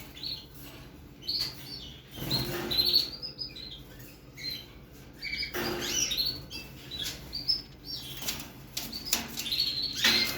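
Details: Persian canary chick, 55 days old, giving scattered high, thin twittering notes in short bursts, mixed with loud fluttering wing flaps and rustling in its cage.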